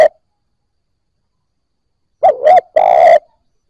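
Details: Spotted dove, newly caught, with a cut-off note at the start, then after silence a quick double coo followed by one long steady coo.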